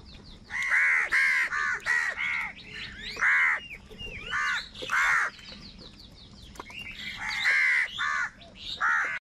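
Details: Crows angrily fighting for food: many loud, harsh caws in quick succession, several birds calling over one another, with high thin chirps of smaller birds in between.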